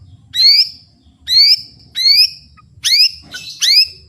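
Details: White-rumped shama, a captive murai batu singing at full volume with fighting spirit: loud rising whistled phrases with harmonics, repeated about every second, with a sharper burst near the end.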